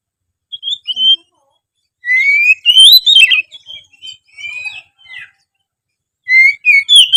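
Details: Chatty oriental magpie-robin song, played to stir reluctant magpie-robins into singing more often. Loud, varied whistled phrases with rising and falling slurs, bursts of quick notes and short pauses between phrases.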